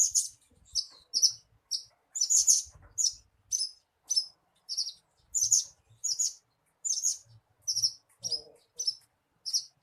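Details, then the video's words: Bushlark lure song used to prompt a captive bird into singing: bright, high chirped notes in short clusters, repeated roughly every half second with brief gaps, plus one lower burred note near the end. "SUARA PANCINGAN BURUNG BRANJANGAN AGAR CEPAT GACOR"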